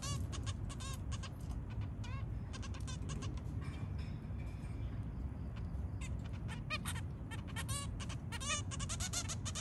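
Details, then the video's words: Zebra finch family with three babies in the early morning: rapid, nasal, trumpet-like calls repeated in quick dense bursts throughout, over a constant low rumbling background noise. "Zebra finch family with three babies. Early morning call"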